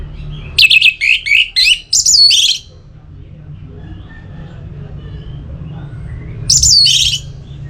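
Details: Orange-headed thrush song from North Bali, Singaraja, played to stimulate a kept bird's singing: a rapid series of high, buzzy, warbling notes for two seconds, a long pause with low hum, then another short whistled phrase.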